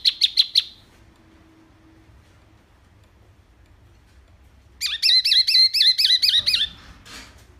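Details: Wambi mini singing, used to tutor other songbirds; a quick run of four sharp notes, a long hush with faint low hum, then an even sequence of wavering whistled notes repeated rapidly.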